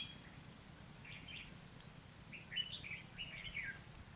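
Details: Trapping of wild red-whiskered bulbuls by song duel, 29 February 2016: a soft warble, then a rapid run of sharp whistled and chattering notes lasting over a second, with low background noise.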